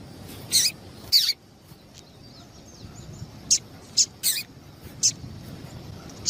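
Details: Sharp, bright chips from a female double-collared seedeater, given to stimulate a male to sing; notes come in twos and singles at uneven intervals over faint steady noise.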